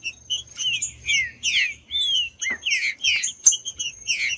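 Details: Green-winged saltator song, played to warm up a cold caged bird for breeders who enter song tournaments: clear slurred whistles rising and falling in pitch, over a busy bed of quick high chips and a thin steady tone.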